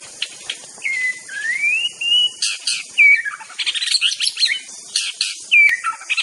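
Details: Master song of an Aceh white-rumped shama. Long rising whistled slurs give way to bursts of sharp chattering notes and short looping whistles, with constant high background hiss.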